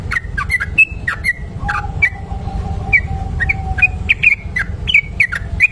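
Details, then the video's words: Long ropel song of a trucuk kebo bulbul used as a lure: short sharp chirped notes in quick succession with a thin drawn-out lower whistle in the middle, over low background noise. "trucuk kebo ropel panjang"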